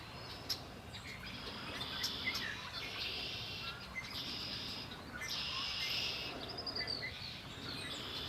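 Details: Birds singing on the Lake Erie shore: overlapping high trills and chirps in swelling phrases, one bright burst near the middle, over faint low rumble.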